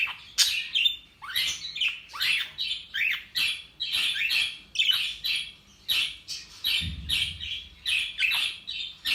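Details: Two pet budgerigars chatter in rapid bursts of scratchy, warbling chirps and squeaks, repeated almost every half second.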